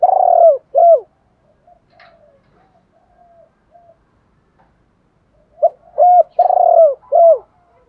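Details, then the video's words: Spotted dove decoy birds, male and female, used to lure and train other doves: loud, low cooing phrases, two coos opening and a burst of four closing, with soft, faint coos murmuring in between. "tieng chim cu moi thuc gay goi cu moi gay/ chim cu mồi dùng luyện mồi và bỏi rất hiệu quả"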